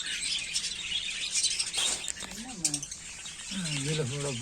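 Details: A flock of male and female African lovebirds of all colours keeps up a dense, shrill chatter of high chirps and squeaks, with a person's voice speaking low underneath.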